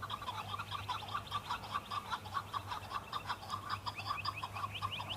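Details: A male chukar calling back to rival males during the fighting season, displaying for females: fast, continuous chuk-chuk clucks in a rhythmic chain, about a hundred per minute, over a constant low hum.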